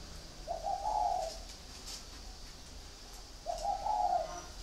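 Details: Caged spotted dove singing two husky, mid-pitched cooing phrases, each just under a second long with a slight rise then level ending, separated by about three seconds of quiet room background.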